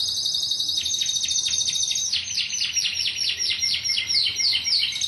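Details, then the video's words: Timbrado canary from a Greek club's 2009 team, singing a loud continuous trill: a rapid buzzy rattle giving way to fast repeated swooping notes, dense and unbroken for five seconds. "Santa's Slay Timbrado 2009"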